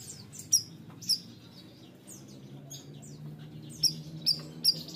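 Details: Bayeman bird singing: a few scattered thin, high, down-slurred chirps, with fainter twittering between them and a low background hum.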